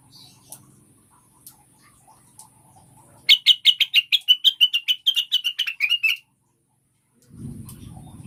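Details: Lure song of cucak wilis or rengganis (Blue-winged Leafbird), used for encouraging caged birds to sing. Faint clicks and hum precede a fast burst of about sixteen sharp, high chirps, then a low rumbling noise returns.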